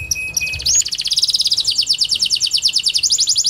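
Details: Kenari panda canary, song played to trigger silent canaries: a few short high pips and a sustained tone, then a rapid run of descending high sweeps in quick succession.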